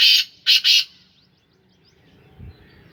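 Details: Kept black francolin of the Sindhi Gangas line gives a loud, harsh, grating call: one short burst, then two longer rasping bursts close together, after which only faint low background rumble remains.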